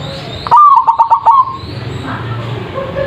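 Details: Zebra dove (perkutut) song used as a lure to make other birds answer, described as a big voice: a single loud phrase about one second long of rapid, stuttering cooing notes at a steady low pitch, then quiet background.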